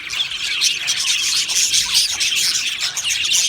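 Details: Budgerigar colony in an aviary giving nonstop chirping: high, thin tweets and fast warbles from numerous birds pile up into a bright, even chatter, with the occasional louder squawk.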